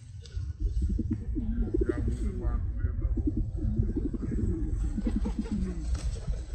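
Several pigeons coo at once in soft, throaty, rolling phrases that overlap without pause, over a steady low rumble.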